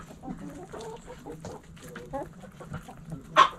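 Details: Backyard hens with soft, short clucks spread through the clip, some rising and falling in pitch, plus a sharp louder note near the end against a faint background hum.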